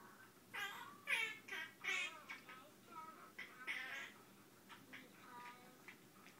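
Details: A male Quaker (monk) parrot strings chattering, meow-like squawks and bent whistles into an improvised song.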